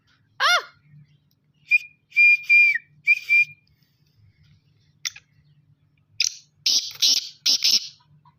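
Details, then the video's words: Young black francolin calling for the first time; a phrase of high, buzzy whistled notes ending in a falling slur, preceded by a rising whistle and followed by a sharp click and several harsh bursts. "Nasal ka Patha Pehli Bar bolai karty howy"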